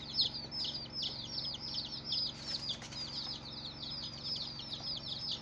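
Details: A flock of colourful baby chicks peeping loudly, high falling chirps repeated about two or three per second from many birds, a brief rustle midway, low hum throughout.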